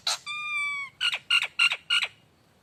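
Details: Lure song of the Nias hill myna: a sharp opening note, then a long steady nasal whistle, followed by four loud harsh, double-toned squawks evenly spaced.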